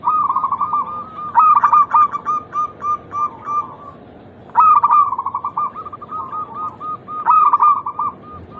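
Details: Local zebra dove cooing as a lure for other doves: three phrases, each a stuttered opening followed by a long run of quick, evenly spaced soft notes tapering away, about three seconds apart, with faint background noise.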